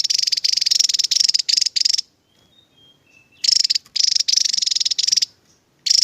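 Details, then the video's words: Rapid-fire 'tembakan' song from a Javan tesia: about two seconds of dense, high, buzzy pulsed trilling, a quiet pause of over a second with faint soft notes, then the fast rattle starts again. "TEMBAKAN Burung TESIA JAWA,,, Mantap Tembakanya"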